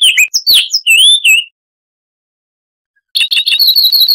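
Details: Brief clear warbled phrases from a Chestnut-vented warbler, bright whistles sliding up and down, then silence before a quick stuttering run of high repeated notes.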